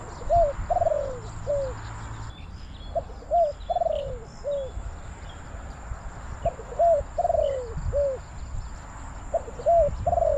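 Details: A decoy spotted dove (Spilopelia chinensis) with a medium-pitched voice gives soft three- or four-note hooting coos, the last note drawn out and falling, calling wild doves down; faint small-bird chirps above.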